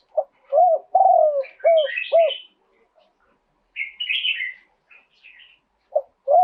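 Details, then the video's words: Spotted dove cooing live in a two-kuk song style, praised for fine phrasing: a burst of mellow arched coos, one long and wavering, then quieter high chirping from other small birds, and fresh coos at the end. "โยน 2 กุก คารมเด็ด เสียงนกเขาใหญ่ ขันสด"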